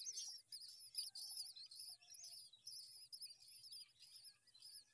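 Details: Common myna chicks give continuous high, harsh, wavering begging calls in overlapping bursts, barely pausing, as the mother feeds them worms at the nest.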